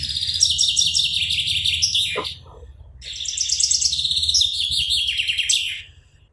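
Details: A common chaffinch from Europe sings two bright phrases, each a quick, descending run of ringing notes ending in a flourish, a song identifying the male, with a faint low hum behind.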